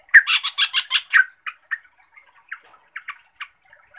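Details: Provocation song of a yellow-vented bulbul, known as trucuk, played to rouse other trucuk. It opens with a rapid stutter of harsh, rich notes, then thins into sparse, separate short chirps.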